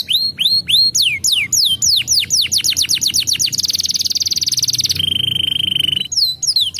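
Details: Canary song meant to stimulate breeding in young canaries: loud series of downward-sweeping whistled notes, then fast trills and a long steady buzzing roll before sweeping notes return.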